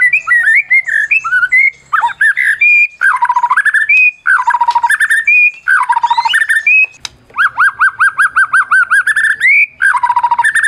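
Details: Medan white-rumped shama, a champion caged bird used to provoke other shamas: loud repeated bursts of rolling, chattering whistled phrases, some dropping in pitch, with a steady run of rapid fluty notes in the second half.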